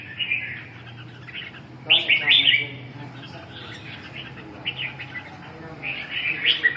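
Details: Red-whiskered bulbul: brief chattering chirps and a louder burst of scratchy notes, then quieter twittering, with a low hum and faint voices in the background.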